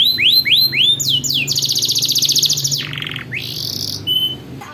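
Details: Canary in long rolling song, used to coax young canaries into learning: a run of upward-sweeping whistles, then a fast, even trill, a low buzzy roll, a rising slur and a steady held note.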